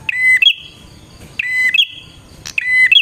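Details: Bar-winged prinia song played to lure wild prinias: three repeated phrases, each a steady high note followed by a quick upward flick and a held higher tone, roughly one per second.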